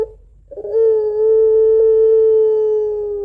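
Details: Puter pelung, a Barbary dove kept at home, delivering the long crying note of its two-note song. After a brief soft start, one loud, steady, harmonic-rich tone is held for nearly three seconds.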